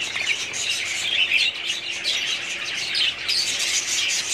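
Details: Steady, crowded warbling and squawking from a budgerigar breeding colony recorded in 2017, high-pitched notes overlapping without pause.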